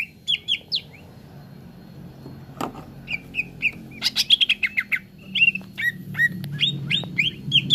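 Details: Cucak ijo, a leafbird, in a training recording meant to make birds sing fast: varied whistled phrases with slurred, bending notes and quick chirp runs, separated by pauses, with a constant low droning hum beneath.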